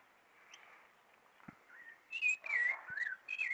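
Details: Rufous-bellied thrush (sabiá-laranjeira) singing with its beak open at the back of a yard on the first Sunday of spring. Faint quiet stretch, then loud whistled phrases in the last second and a half, warbling up and down with high chips.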